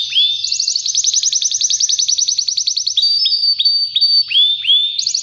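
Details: Spanish Timbrado canary song from a two-year-old half-frill male ready to breed: a long fast bubbling trill, then a thin sustained note and several sharply rising whistled upslurs.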